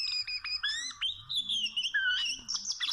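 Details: Oriental magpie-robin, wild bird being trapped with small ropes, delivers clear whistled song. Quick stepped notes lead into a long sustained whistle, followed by a short falling note and sharp chirps.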